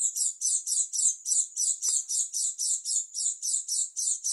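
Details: Oriental white-eye, dakun form from East Java, delivering a strange unbroken series of high rasping chirps, roughly four per second, steady in pitch throughout.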